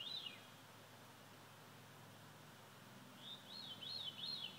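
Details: Veery singing at sunset: a brief fluty, arched note at the start, then after a pause a run of three or four looping, rolling high notes near the end, over a steady low hum and soft background hiss.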